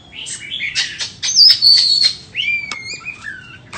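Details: White-rumped shama, a bird offered for sale, singing: harsh buzzy notes, then clear high whistles sliding downward and a long falling whistle held near the end, with short sharp clicks between phrases.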